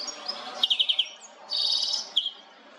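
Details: European goldfinch (Carduelis carduelis), captured on a Nikon Coolpix P1000, gives a quick run of five sharp ticking notes followed by a brief buzzy twitter and a final clipped note, all high-pitched.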